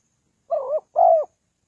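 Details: Spotted dove call played to attract wild doves: a single pair of soft, hollow coos, a brief first note followed by a longer, steady one that drops at the end, in otherwise quiet surroundings.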